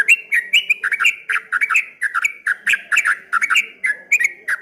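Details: Ropel-style song of a streak-eared bulbul, known as ngombak banyu, a loud and dense chatter of warbled, slurred whistles repeated without pause, with sharp high clicks between notes.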